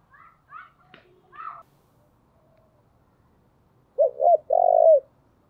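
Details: Decoy spotted dove: a few higher chirping notes from another bird open the recording, then after a pause the dove gives a low three-part cooing phrase ending in a long drawn coo.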